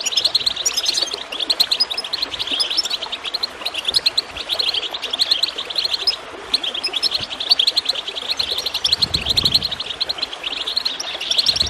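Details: Continuous high twittering goldfinch song with gurgling water behind it, played to stimulate birds to sing. Bursts of quick liquid chirps pause briefly between phrases, and a low rumble comes near the end.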